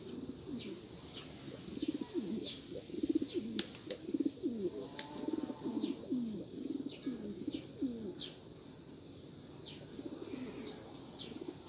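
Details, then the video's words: Rare Australian pigeons: a dense chorus of low, throaty, rolling coos overlapping steadily throughout, with faint high chirps in the background. "شوق/کفتر های نایابب استرلیا"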